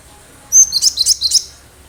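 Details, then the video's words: Wild cinereous tit (gelatik batu) singing vigorously, for use as a lure for other birds. One quick burst of bright, high chirping notes, about four pulses close together. "Gelatik batu gacor suara asli liaran cocok buat pancingan pikat burung"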